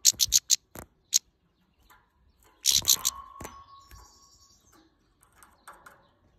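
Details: A female European goldfinch, angry at the camera, fires rapid bursts of harsh buzzy notes. After a gap comes a second dense run, then a thin high wavering tone and scattered faint chips.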